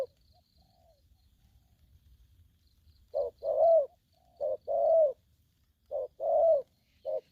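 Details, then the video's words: After about three seconds of near silence, an aggressive young spotted dove starts 'thổ' style calling: three paired coos, a short note then a longer resonant hoot, then a final short note. "Bổi thổ tơ hung hăng"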